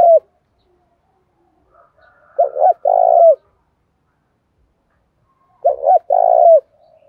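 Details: Spotted dove cooing in the thổ style, used to lure other doves into calling; soft low coos in two-part phrases, a short note then a longer rolling one, repeated about every three seconds in a quiet setting.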